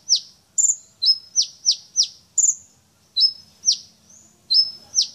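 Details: Champion brown-throated sunbird showing off its repertoire of fill-in phrases: bright, high chirps with sharp downward sweeps, alternating with thin level whistles, delivered in quick irregular bursts against a quiet background.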